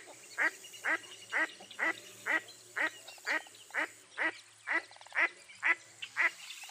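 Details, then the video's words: Quacks of a mottled duck from eastern North America ring out in a regular run, roughly two per second, each note rasping and slightly descending, over a quiet backdrop with soft distant bird sounds. "Mottled Duck Call"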